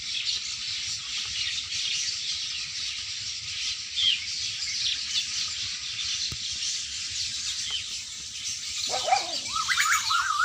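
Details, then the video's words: Birds singing on a farm in the evening: a dense, continuous chorus of high, overlapping chirps and tweets throughout, with a lower, wavering, whine-like call from another animal breaking in over the last two seconds. "Birds singin in my farm in eveing"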